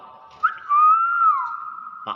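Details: A captive common hill myna gives one long, clear, mid-pitched whistle lasting over a second, rising gently then dipping, with a brief sharp note at the start.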